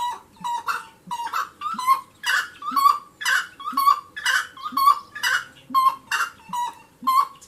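A wood rail gives a loud, raucous, rhythmic series of harsh notes, about two per second, building into a steady cackling chorus.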